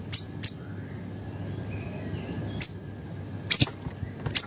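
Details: Small, actively singing siri-siri bird, used as a master and lure for songbirds, gives scattered thin high chirps: two close together, a long pause, then a single chirp and a final few, over quiet hum.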